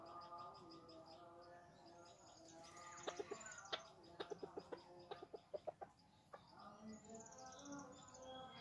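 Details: In the jungle, chickens being pursued give a run of sharp, evenly spaced clucks from about three to six seconds, then softer drawn-out notes, over a constant hiss of forest sounds.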